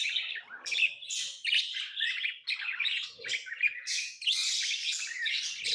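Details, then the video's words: Chattering tame lovebirds, a steady stream of sharp, high, squeaky chirps and twitters, closely packed and ongoing throughout. "Love birds Sounds | lovebirds chirping sounds| parrot beautiful sounds"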